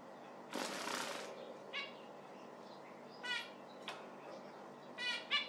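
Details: Zebra finch calls, short and nasal, scattered after a loud flurry of wing flapping.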